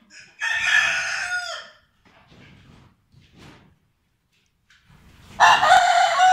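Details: Vorwerk chickens, a German breed, with rooster and hens: a loud raspy crow of over a second, quiet low clucking and rustling, then a second crow starting near the end.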